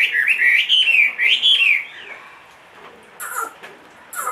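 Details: Loud fluty song from a caged Chinese hwamei, a big bird aged two and a half, with rapid rising and falling whistles for nearly two seconds before near silence and a few faint high chips.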